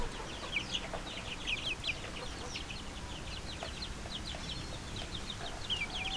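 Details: A group of little chickens chirping together, a dense overlapping chorus of short, high, falling peeps that never pauses, over a low rumbling background hiss.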